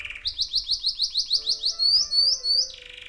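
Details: A male yellow canary, a rescued bird found by a roadside, sings along to music: a fast, even trill of about a dozen bright, high notes, then a few rising slurred whistles, over soft background music.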